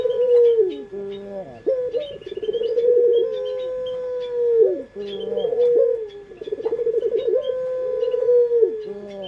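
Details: Local puter pelung dove, a caged pet variety, in a lure recording. Long drawn-out coos near one pitch, each opening with a quick rising pulse and ending in a falling tail, repeated several times, with faint high chirps from other birds.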